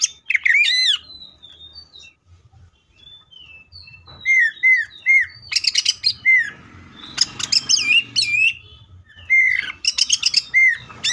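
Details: Greater green leafbird delivering varied full 'tembakan' song: looping whistled notes, soft high tweets, then loud clusters of sharp chips and downslurred whistles repeated in bursts over about eleven seconds.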